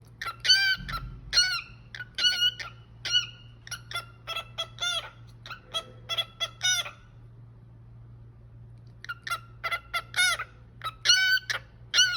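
A cockatiel sings a run of bright, chirpy whistles in quick bursts, pausing briefly before resuming.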